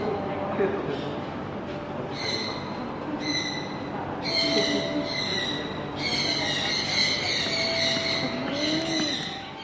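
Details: A 2016-born captive striped owl (Asio clamator) at a bird park calls actively, giving about five high, nasal, drawn-out squealing whistles, each about a second long, over a soft murmur of visitors' voices.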